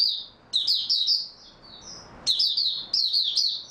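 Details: Oriental white-eye recorded on 3 March 2022, singing high, sweet warbled phrases of rapid twittering notes in two bursts separated by a pause of over a second, with a quieter thin whistle between them.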